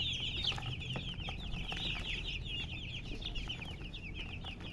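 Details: Chicken chirping, hen present: many sharp, high peeps crowd together in quick, irregular succession for the whole stretch, over soft background hum.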